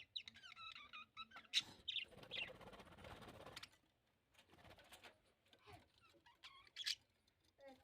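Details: Breeding Australian budgerigars chirp and warble in quick, high, twittering bursts with scratchy, rasping notes mixed in.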